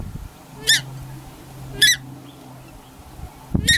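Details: Pair of Paradise Shelducks at a corn bait station in Tawharanui Regional Park, keeping pukeko away from the food. Three harsh, honking calls are spaced about a second apart, over a low background rumble.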